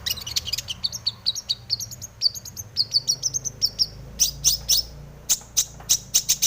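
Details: Long-tailed shrike (cendet) in breeding condition, singing a full 'isian' song used as a lure to make other shrikes sing; fast high chirps and short warbled phrases, then sharp, well-spaced high notes repeated about once a second.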